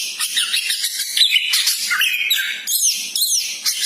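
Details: Magpie-robin with a champion's mettle singing a rapid medley of clear whistles, buzzy chatter and looping high phrases, loud and nonstop, meant to pump up another caged bird's fighting spirit.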